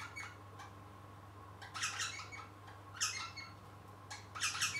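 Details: Rosella parrot chick practising its singing indoors, giving a few soft scratchy notes, then three louder clusters of rough, chattering squawks spaced about a second apart, with a low constant hum behind.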